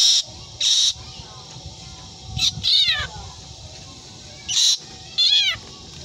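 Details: Black drongo imitating a cat's meow: two wavering, downward-bending meow-like notes with rich harmonics, around three and five seconds, set among short harsh hissing bursts repeated at irregular intervals.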